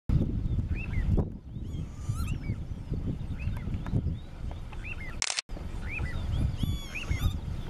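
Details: An alarmed little ringed plover at Sadków in June 2013 gives alarm calls: short, clear downslurred 'pee-oo' whistles, repeated about once a second, over heavy low wind rumble with one brief knock.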